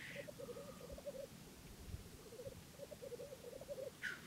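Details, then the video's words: Black grouse in April 2011 give a continuous low, dove-like bubbling in rolling phrases of about a second each, with a harsh hissing sneeze at the start and end. "Black Grouse"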